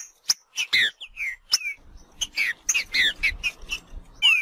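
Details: Wild green-winged saltator singing a short phrase of bright whistled notes and sharp chips, several downslurred, spaced a fraction of a second apart, ending on a rising whistle; faint low rumble underneath.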